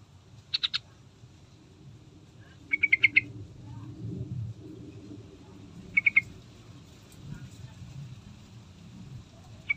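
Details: Yellow-vented bulbul (Pycnonotus goiavier), song.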